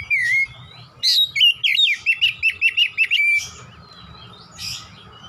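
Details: Oriental magpie-robin in full song, a rapid run of sharp whistled and chattering notes around one second long, repeated about three times a second, with a faint low hum and a brief later trill.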